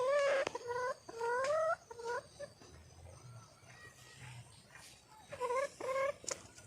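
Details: Wild red junglefowl hen calling for a mate: short nasal rising notes given in clusters of three or four, a pause with faint low rumble, then two more upslurred calls.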